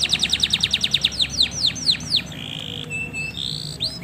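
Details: Excited male canary singing for a female during courtship: a rapid run of bright falling notes that slows into wider swoops, then a flat, steady whistled tone.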